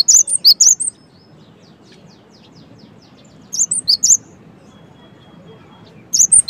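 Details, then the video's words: Brief phrases of a cinereous tit's song, three or four piercing high notes at a time, separated by long gaps with faint background hiss. "suara GELATIK BATU gaCoR"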